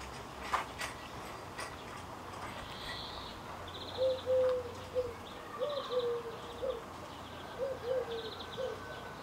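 A Eurasian Collared Dove gives three low, hollow three-note coos about a second apart, while another small bird adds faint high, buzzy chirps.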